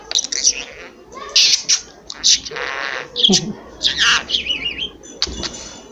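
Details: Talking household budgerigar that also coughs and repeats many words, producing bursts of raspy speech-like chatter and a wavering whistled trill in the high register, separated by short pauses.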